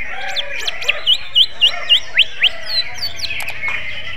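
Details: Greater green leafbird with magpie-robin-like song, repeating a crisp, sharp whistled note about four times a second in a regular string, followed by a few scattered higher chirps and clicks.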